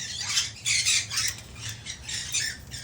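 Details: Rescued one-legged male Hahn's macaw settling into its new cage at home; a run of raspy, high squawks in uneven bursts about every half second, over a low indoor hum.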